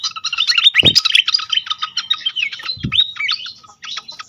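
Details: Pied fantail in a lure audio aimed at starting song in others: crowded, quick twitter of bright chips and short whistles, with two loud low thuds and a brief gap near the end.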